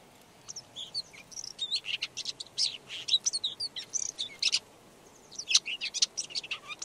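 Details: Red-backed shrike (Lanius collurio) singing a rapid, scratchy warble of varied high chirps, trills and short whistled notes, delivered in bursts with brief pauses, against a quiet background.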